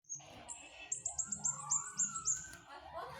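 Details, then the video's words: Flowerpecker singing actively: a quick run of thin, very high ticking notes, about four per second, with a lower slurred whistle sliding beneath and a low background hum. "Burung cabe cabean gacor mantep"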